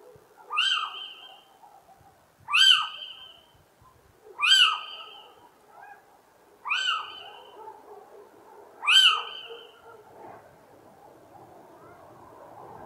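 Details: Little owl repeating a sharp, rasping, downward-slurred shriek five times at roughly two-second intervals, each call strong and ringing, then a quieter stretch with soft background rumble.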